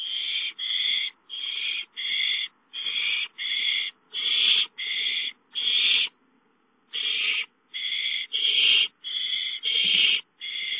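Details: Owls at the nest during a prey delivery of a gopher. A long series of harsh, breathy screeches, each about half a second, repeated steadily with one longer pause midway; quiet background.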